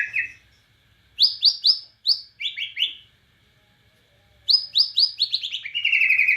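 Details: Borneo white-rumped shama singing energetically in cililin style: groups of high, quick chirps separated by pauses, then a long rapid rattle at the end.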